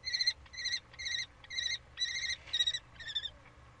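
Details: Common kestrel during a prey transfer on 3 May 2013, giving loud, rich, trilled calls about twice a second over faint low rumble.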